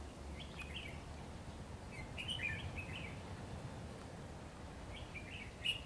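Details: Treetop ché singing by a red-whiskered bulbul said to sing readily: brief chirpy, slurred phrases in small clusters, with pauses between groups, against a constant low-pitched background noise.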